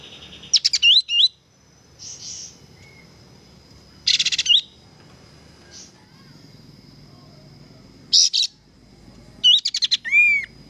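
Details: Kapas tembak singing vigorously, recorded as a training song for cage birds. Repeated bursts of buzzy high notes alternate with looping whistled phrases. A clear falling whistle comes at the end.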